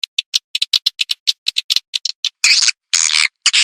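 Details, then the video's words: Played swiftlet lure sound for edible-nest swiftlets: a fast string of crisp clicks about four to five per second, followed by three loud, broad, raspy buzzes. "SUARA PANGGIL BURUNG WALET"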